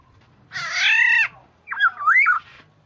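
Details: Black-naped oriole on a lure track: one grating, nasal squawk followed closely by a mellow, wavy fluted whistle phrase.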